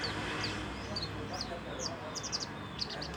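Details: Young branjangan, or Horsfield's bush lark, still learning to sing; a loose run of short high chirps and clipped notes, several in quick clusters, against a steady low background hum.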